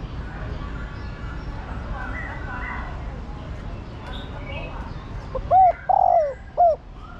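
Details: After several seconds of faint human talk, a female spotted dove calling the male gives a single low phrase at the end: a short hoot, a drawn-out falling coo and a brief final note.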